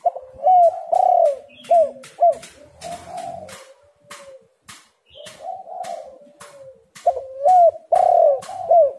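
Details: Spotted dove lure call. Two phrases of loud, falling coos are separated by softer humming coos, with many sharp clicks and knocks in between.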